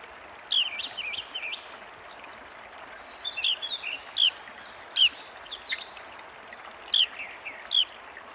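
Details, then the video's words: Carolina Wren, close up, giving loud, ringing, downslurred notes in quick pairs, repeated roughly every second, over a steady rushing hiss like running water. "Carolina Wren"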